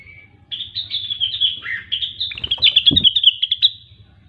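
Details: Rengganis or cucak wilis (grey-cheeked bulbul) singing in energetic 'gacor' form: a single thin whistle, then a fast, jumbled stream of high twittering notes with a few dipping slurs, over a soft low hum.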